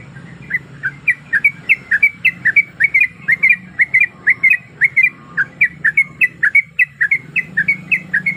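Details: Female sooty-headed bulbul in breeding condition calling a male, used as a lure to make birds sing: rapid chattering series of short, sharp whistled notes, several per second, continuing steadily, with a faint low hum beneath.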